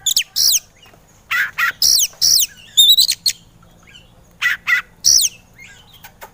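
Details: Oriental magpie-robin (kacer) in an agitated 'emosi' style, used as a masteran training recording for birds reluctant to sing: loud, harsh, downward-sweeping squawky notes in short bursts, a brief high twittering trill near three seconds, quiet gaps between phrases.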